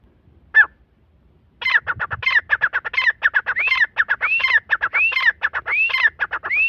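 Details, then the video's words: Grey francolin calling loudly. After a single opening note, it gives a fast rhythmic run of sharp, clipped notes mixed with rising whistled phrases that arch upward and repeat about every second. The series grows steadily more insistent. "Irani teetar ki awaz Dakhni teetar ki awaz Teetar voice تیتر کی آواز Teetar ki boli"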